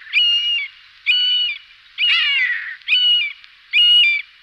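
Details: Common buzzard (Buteo buteo), used as a decoy call, giving five high, mewing calls about once a second, most level with a slight drop at the end, one a longer falling 'peeyah'.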